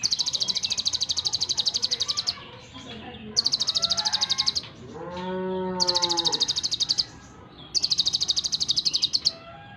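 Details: Brown-breasted ninja sunbird in lively varied song, delivering long rapid trills of fast, evenly spaced high pulses, each burst about two seconds, with a lower drawn-out sound and faint twittering between bursts.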